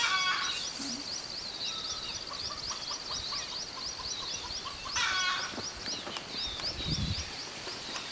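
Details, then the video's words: Red junglefowl alarm calls heard on safari in the Chilla range of Rajaji Tiger Reserve, in mixed deciduous forest with grassland and lantana: a run of repeated clucking notes over a steady high, thin chirping series. "लगातार कुछ जंगली मुर्गा बोल रहा है।"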